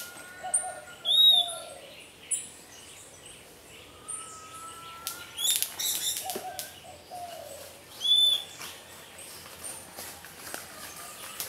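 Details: Puerto Rican flycatcher defending its nest against a pearly-eyed thrasher, an egg and chick predator: a few brief arched whistles, early and late, separated by fluttering wings and sharp clattering strikes.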